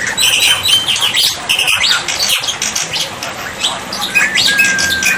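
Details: Black-winged myna song used as a tutor to draw a reply from birds that have stopped singing: dense harsh chattering with scattered high whistled notes and short buzzy bursts, a low steady hum beneath.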